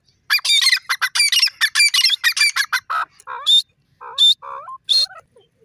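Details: Grey francolin, described as a pure-bred desi bird, calling loudly. A three-second burst of harsh, rapidly repeated squawking notes is followed by a few separate, shorter, rising calls with brief pauses. No other sounds.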